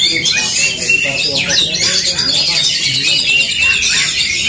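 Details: Oriental magpie-robins singing against each other in an aggressive duel, a thick wall of shrill whistles, fast rising and falling sweeps and harsh squawks throughout, with faint voices low in the background.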